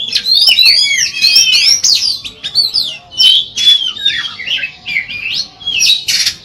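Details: Oriental magpie-robin song meant to draw other magpie-robins into singing: a fast, continuous stream of sweet looping whistles, chattering trills and squeaky notes, phrases overlapping with barely a pause.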